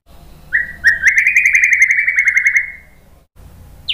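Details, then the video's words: A white-rumped shama delivers lure song for training birds to answer, with one sustained buzzy trill gliding gently upward for about two seconds after two short lead-in notes. "MASTERAN MURAI BATU biar ikut EMOSI NYAUT GACOR BONGKAR MATERI TEMBAKAN ¦ PANCINGAN MURAI"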